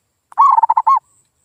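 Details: A single zebra dove lure phrase meant to prompt silent local doves to sing: a brief run of five or six rapid, rolling low coos ending in a longer note, followed by a faint high hiss.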